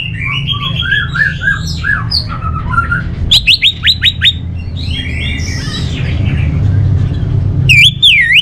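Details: Orange-headed thrush, a kept songbird from North Bali, Singaraja, giving a varied medley of whistled phrases, a burst of sharp repeated chips, then looping warbled notes, over a steady low hum.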